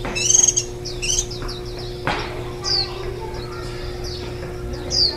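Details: Warbling white-eye at its nest while rearing nestlings, recorded 23 July 2018, ten days into brooding and the day before the young fledged: bright, high chirps and short descending tweets in quick clusters, over a steady low electrical hum.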